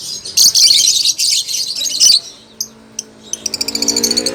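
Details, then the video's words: Lovebird now singing steadily: two seconds of harsh, high chattering bursts, a pause with single chirps, then a rapid, even series of short ticking notes speeding up at the end. "Burung lovebird sudah mulai mantap berkicau"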